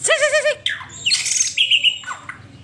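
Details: White-rumped shama singing, played to coax a pet bird into song: a quivering warbled note, then sharp slurred whistles and a long clear high whistle, delivered quickly in a short burst.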